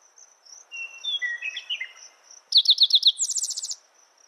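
Spotted towhee song: five quick, sharp introductory notes followed by a fast, buzzy trill. Softer slurred whistles from another bird come earlier, over a steady high insect drone.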